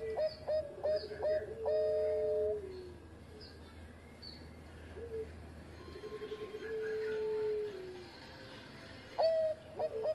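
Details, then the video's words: Bangkok-type zebra dove singing steadily as a training recording: quick clipped cooing notes followed by a long, slightly falling coo, repeated over a noisy, hissing background with a low hum. "Raja Suara Mas Juara Idaman Perkutut Bangkok Gacor Buat Masteran"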